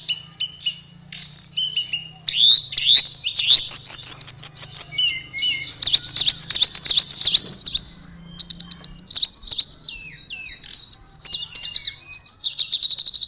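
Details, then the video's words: Extended song from a tledekan, a blue flycatcher: fast chattering trills, bright whistled phrases and sliding notes in a varied, energetic stream with few pauses, low hum underneath. "Kicauan Merdu TLEDEKAN"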